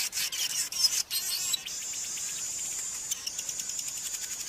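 Cape Weaver: a harsh, scratchy chatter that turns into a long, high, sizzling buzz with rapid pulsing. No other sounds stand out.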